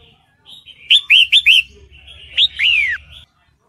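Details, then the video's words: A female sooty-headed bulbul in breeding condition, calling to lure a male: four quick, bright chirps, then a sharp note and a long, loud, downslurred whistle, over a faint low hum. "MERBAH JAMBUL BETINA MANGGIL JANTAN - SUARA MERBAH JAMBUL BETINA BIRAHI"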